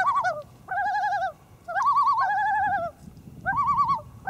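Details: Early morning, 1 August 2012, on Great East Lake in Wakefield, New Hampshire: loons give tremulous, laughing calls from near a canoe, recorded on a Panasonic HDC-TM90. Three wavering bursts, each roughly a second long, separated by short pauses.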